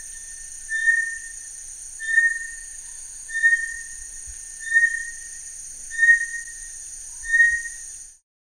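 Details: Song of Bartlett's tinamou: six clear, even whistles on one pitch, spaced at a regular rhythm of roughly one every second and a quarter, with a steady shrill buzz running underneath throughout.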